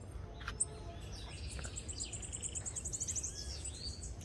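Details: Bananaquits gathered with friends at a rural property: a faint, very high, rapid buzzy trill of evenly repeated notes runs for about two seconds, over low rumbling background noise and scattered chirps.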